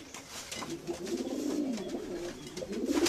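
Domestic pigeons give soft, low, throaty coos that roll and bubble almost continuously, swelling and fading, with a slight room echo.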